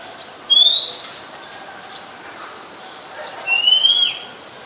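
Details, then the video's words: Oriental magpie-robin singing in Ubon Ratchathani, Thailand, on 17 July 2021, where it is a very common resident: two bright rising whistles about three seconds apart over soft rural background noise. "นกกางเขนบ้าน Oriental Magpie Robin (singing)"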